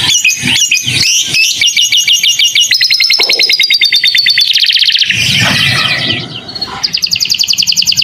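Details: Canary master song with lovebird-style fill-ins for tutoring young birds: varied fast trills and chattering rolls changing pitch, with some low noise partway through and a bright trill resuming at the end.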